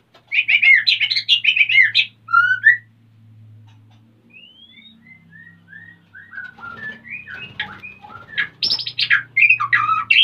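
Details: Male White-rumped shama in breeding condition, eager to mate while the female is busy nest-building, recorded at Salaman, Magelang, Central Java: rich varied song of rapid whistled trills, clear rising and falling notes, and short buzzy bursts, with a faint low hum beneath.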